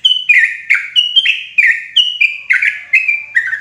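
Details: Yellow-vented bulbul (trucukan), loud clear lure call for trapping bulbuls in forest: loud, liquid notes, each a high whistle dropping into a bubbly chirp, repeated about every 0.4 seconds; no other sounds.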